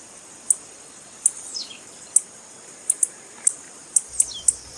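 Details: Female blue-black grassquit calling to excite a caged male and stimulate its song. Eight very high, clipped chirps spaced about half a second to a second apart, one followed by a thin falling slur, over quiet background.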